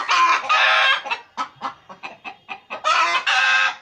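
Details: Several pet chickens at home: a loud strained squawk opens, then a run of short sharp clucks roughly every quarter second, ending in two more long raspy calls.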